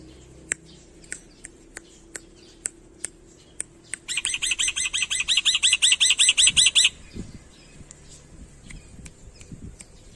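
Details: Black-winged myna, an Indonesian endemic mimic, delivering a lively full-fill style song: spaced sharp clicks, then a dense, rapid rattling trill of repeated buzzy notes lasting about three seconds, followed by soft low sounds.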